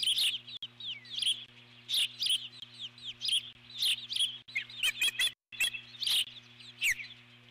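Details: Eagle alert-calling at an intruder and chasing it from the nest. Dense, shrill chittering arrives in repeated bursts, some notes sliding down, with short breaks and a steady background hum.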